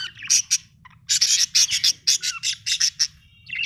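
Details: Budgerigars in a home setting chattering in a fast run of bright, scratchy chirps and squeaks, roughly five per second after a brief pause, with a constant low hum beneath.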